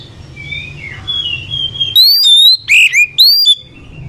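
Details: Oriental magpie-robin trading song phrases with another bird, aimed at birds slow to sing: quiet wavering whistles over a low hum give way to loud, clear whistled notes, rising and falling, in four rapid bursts.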